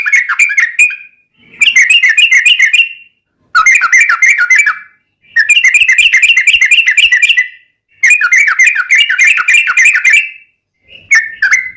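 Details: Fast chattering warbles from a yellow-vented bulbul in the 'ropelan tembus-tembus' style with 'ngelituk' and straw-headed-bulbul-like fill, meant as a tutor and lure for caged bulbuls. Five dense bursts are separated by short silences.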